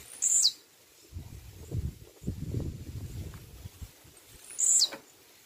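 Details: Blue-black grassquit giving two brief, high, sharply falling buzzy notes about four seconds apart, with soft footstep-like thuds and low rustling between them.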